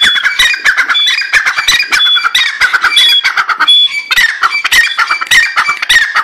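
Grey francolin giving a loud, harsh, rapidly repeated series of grating notes in a continuous chatter, with thin high whistles of another bird behind.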